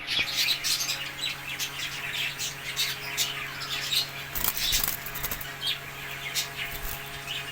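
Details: Cockatiels at a bird farm that also keeps budgerigars, doves and lovebirds chatter with busy, high chirps and short squawks, with wingbeats and a low electrical hum.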